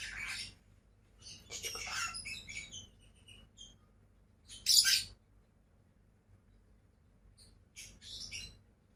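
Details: A pair of pet lovebirds chatter in short high chirps and rasping notes, with one loud sharp shriek near the middle and quiet gaps.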